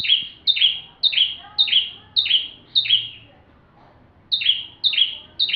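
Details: Bar-winged prinia singing fully, used as a tutor for magpie-robins: quick high chip-and-buzz notes repeated roughly twice a second, a pause, then the series resumes.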